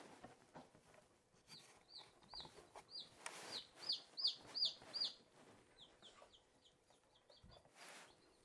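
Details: Four newly hatched Silkie chicks playing; steady series of high, piercing peeps, each slightly down-slurred, repeated about every half second and loudest in the middle, with soft rustling and bumps behind.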